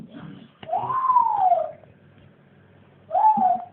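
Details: Pet parrot trying to MC, giving two drawn-out vocal phrases: a long rising-then-falling tone lasting about a second, then after a pause a shorter similar phrase; a person speaks just before.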